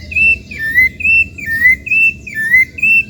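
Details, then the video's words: Rufous-bellied thrush (Turdus rufiventris, sabiá-laranjeira) singing freely in natural habitat: clear, fluty whistles, alternating steady high notes with lower down-slurred ones, about two or three a second, over a faint low rumble. "Canto de Sabiá Laranjeira"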